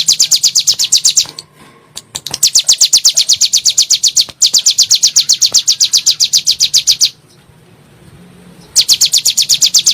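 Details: Rapid 'nembak' song of a bar-winged prinia, played to provoke caged birds: several bursts of quick, evenly spaced high chirps separated by short silences.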